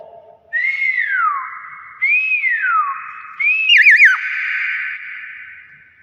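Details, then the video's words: Three bold whistles from a Nias hill myna. The first two arch up and slide down, and the third breaks into a rapid wavering warble. "BEO NIAS SUARA ASLI"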